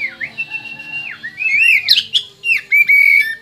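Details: Oriental magpie-robin native to West Kalimantan, Indonesia, singing a rich, varied song: sustained clear whistles slurring downward, then rapid high sweeping notes and chirps, ending with a long steady whistled note.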